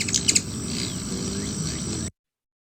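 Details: Ruby-throated Hummingbird flight call as it zips overhead: three or four quick, very high, squeaky chips in the first half-second, then a steady hiss of background noise.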